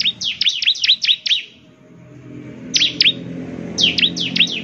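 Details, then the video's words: A bar-winged prinia sings to provoke answers from other prinias. A quick run of high, flicking chirps gives way to a quiet spell, then two shorter bursts, over low background rumble. "Inilah suara ciblek GACOR paling di gemari, SEMUA ciblek pasti langsung NYAUT"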